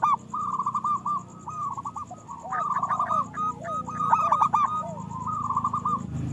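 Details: Local zebra doves singing, played so that caged doves start to sing. Overlapping phrases of fast, clipped coos and trills, with low curved coos and a low rumbling hum beneath.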